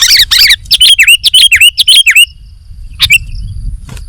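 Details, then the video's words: Sooty-headed bulbul singing actively, a training recording: two buzzy bursts, then a quick series of sharp, downward-swooping whistled notes repeated about twice a second, a pause, and one last chirp. "KUTILANG GACOR"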